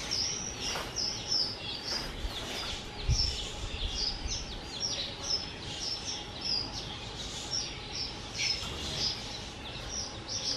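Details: Two-year-old pet skylark on 18 April 2023 giving a series of short, sharp, high chirped and slurred notes, roughly two per second, with background noise and a few low knocks.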